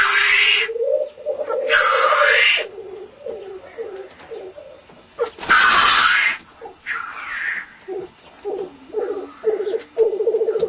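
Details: Black grouse in display, home footage: loud hissing sneezes alternate with choppy bubbling coos, the bubbling breaking into short pulsed phrases toward the end.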